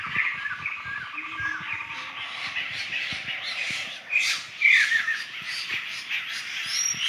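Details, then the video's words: Laughingthrushes moving as a flock through forest in Sumatra, a dense noisy babble of overlapping squawks and chuckles, louder bursts around the middle, with a low pulsing drone early on. "Suara burung Poksay dihutan"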